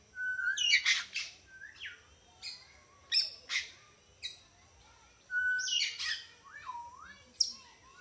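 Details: Parrots in a zoo at Entebbe, Uganda, giving clear whistled notes near the middle of the range, some steady and some bending down or up. They are mixed with harsh chirps and bursts in quick, irregular succession from several birds.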